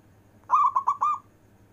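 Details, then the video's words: A single phrase from a local zebra dove's long-breath performing song, meant for calling lazy doves: a throaty rolling coo broken into four quick pulses, the last note held slightly longer. "Perkutut lokal istimewa manggung nafas panjang,cocok untuk manggil perkutut malas"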